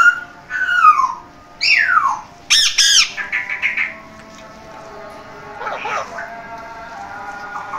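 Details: Pet parrot giving loud, falling, raspy squawks and a harsh stuttered call, followed by a softer, quieter stretch with faint mumbling.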